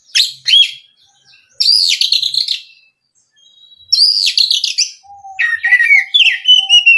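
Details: Oriental magpie-robin lure song aimed at making kacer sing fully; dense high trilled bursts with pauses, a soft low steady tone, then a run of whistled slurs.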